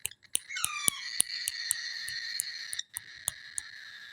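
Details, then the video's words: Baby cockatiel giving a steady, raspy, droning call with two even bands, held for almost three seconds before a brief break. Sharp clicks repeat throughout at about three per second. "Cocktail parrot baby horrible sounds"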